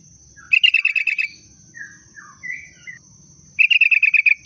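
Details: Sooty-headed bulbul sound used as a booster to make birds sing: a quick string of bright chirps, a few softer slurred notes in between, then another fast chirping run, with a constant thin high tone behind.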